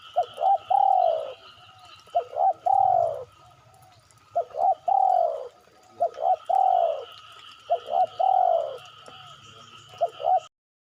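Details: Spotted dove call played as a lure to draw birds into calling: repeated phrases of two or three short hoots ending in a longer falling coo, each phrase about every two seconds, with a constant high-pitched hum behind.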